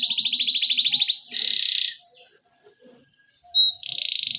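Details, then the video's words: Canary in 'ngerol jeda' style, a rolling song broken by pauses, serving as a lure for young birds. A rapid pulsed trill, then a buzzy burst, a near-silent gap, one sharp whistle, and more buzzing trill. "Criit CUIT Cuit Kenari GACOR Ngerol Jeda Buat PANCINGAN Kenari PAUD Supaya Cepat BUNYI GACOR"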